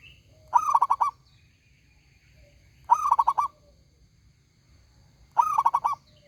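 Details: Local zebra dove praised as loud and ringing sings three evenly spaced phrases, each opening with a bright coo and running into five or six fast, rolling pulsed notes, with a quiet background.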